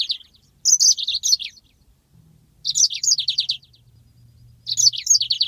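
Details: Three short high phrases of a yellow-fronted canary's long rolling 'ngeroll' song, each a quick run of descending chirpy notes, separated by pauses over a faint low hum. From a master recording for training birds.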